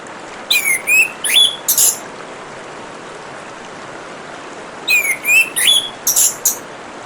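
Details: Over gurgling, hissing water, an orange-headed thrush sings swooping whistles that dip and rise, followed by bright, sharp high chips. Two similar phrases, roughly four seconds apart.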